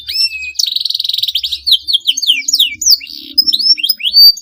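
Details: Long, lively canary song meant to provoke rival birds into singing: rapid high whistled notes, fast buzzy trills and sweeping slurred phrases, with no pauses between figures.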